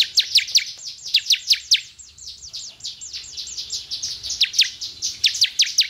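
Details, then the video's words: Bar-winged prinia (ciblek) song used to stimulate caged birds to sing: fast runs of sharp, steeply falling high chips, about six to eight per second, in bursts broken by a softer pause near the middle. "suara perangsang ciblek agar cepat bunyi"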